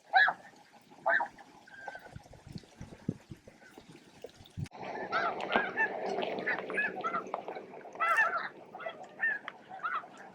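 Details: Noisy flock of snow geese at midday at Bosque del Apache, jostling and feeding for a spot; scattered honks at first, then from the middle a dense, continuous chorus of overlapping nasal calls.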